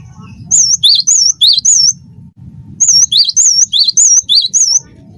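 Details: Cinereous tit of the form called wingko, singing vigorously: bright whistled two-note phrases, a high wavering note and then a lower rising one, repeated in two bursts with a faint low hum beneath.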